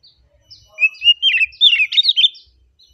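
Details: Single phrase of relaxed oriental magpie-robin song: a sustained clear whistle leading into a rapid tumbling series of high, sweet warbled notes lasting about a second and a half.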